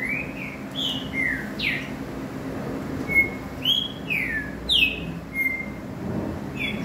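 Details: Green-winged saltator singing, with short clear whistled notes, some sliding down and some swept upward, spaced through a steady background hiss.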